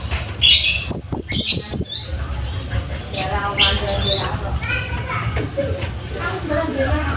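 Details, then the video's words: Scarlet-headed flowerpecker, a master recording for training caged birds: a brief, fast volley of five piercing high notes, followed by mixed chattering and squawking from other birds. "Cabean Bunga Api gacor"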